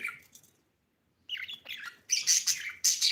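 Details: Budgie giving a short chirp, a second of silence, then rising chattering notes and loud, shrill squawky chirps in quick bursts.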